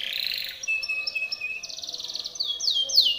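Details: Training song of a Timbrado canary: a buzzy warble, then a steady pure whistled tone, a rapid rattling trill and a few sharp curved notes at the close.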